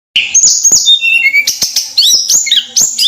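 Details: Javan sunbird (tledekan) in lively full song: high, thin whistled notes and sharp sliding chirps between about two and eight thousand cycles, delivered in rapid bursts with short gaps.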